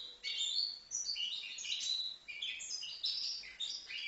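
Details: Young European goldfinch from Livno, five months old, sings a dense, unbroken stream of high, liquid twitters and chirping trills.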